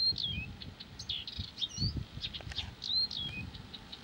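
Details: Blyth's reed warbler in nonstop song, a dense jumble of short whistles, slurred notes and chattering bits, over steady low rumbling background noise.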